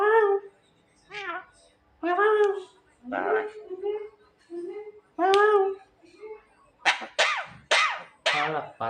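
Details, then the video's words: Pet Javan myna repeating nasal, talking-like phrases about once a second, each with a wavering tone, ending in four sharp, rasping squawks; quiet background music. "burung jalak kebo pintar yang lucu"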